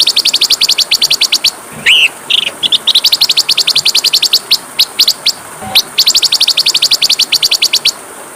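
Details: Training song of the Oriental magpie-robin (masteran): long fast series of high staccato notes, broken by a lower rising whistle and a few separate chirps before the rapid run continues.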